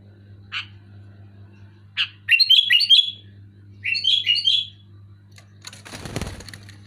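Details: Sooty-headed bulbul in loud, clear song: single short chirps, then two quick runs of bubbly slurred whistles, ending in a burst of rustling or flapping noise, with a steady low hum throughout.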